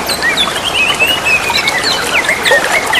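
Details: Wild greater green leafbirds answering one another beside a babbling stream, with a fast run of sliding whistles and warbled phrases over a loud water background.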